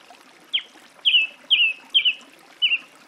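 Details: Singing song thrush repeating a sharp, downward-slurred whistle five times at a brisk pace, a soft background hiss underneath.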